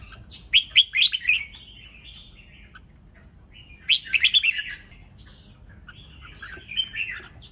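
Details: Lively red-whiskered bulbul song of the 'ché nẹt' type, played to excite rivals into competitive singing: three bursts of quick, bubbling warbles, the first two loud, the last softer and more drawn out.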